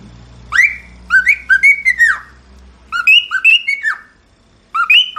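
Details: Cockatiel song made of clear whistled notes, each sliding up then down, strung into quick runs of four or five notes with gaps between runs; a low hum is present early on.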